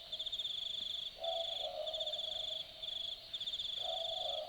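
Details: Australian boobook at night in Dharug bushland giving two boo-book hoot pairs, low and mellow with a falling second note, heard under a prominent pulsed, trilling insect chorus.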